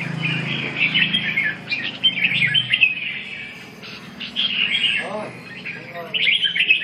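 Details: Red-whiskered bulbul singing during a session dated 2/6/2012, with bursts of bright chirpy warbled phrases, short pauses between them, and a low rumbling hum underneath the opening seconds.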